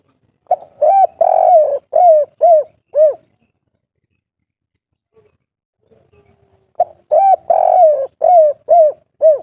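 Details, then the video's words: Natural local spotted dove call, the kuk 3 type, used as a lure so other doves call back; two series of low hollow coos, a long note followed by quick falling short coos, separated by a pause. "suara burung derkuku kuk3 gacor suara besar manjur untuk pancingan langsung nyaut"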